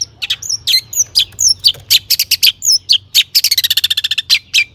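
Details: Long-tailed shrike in full, lively song packed with mimicked phrases, used as a lure to make other shrikes sing; high chirps, hooked whistles and harsh bursts, ending in a fast rattle of clipped, even notes.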